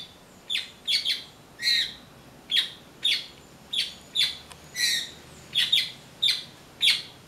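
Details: A blackbird that came for persimmons and ate passion fruit instead calls in a steady series of sharp, bright chips and rough squawks, about one to two each second, some paired.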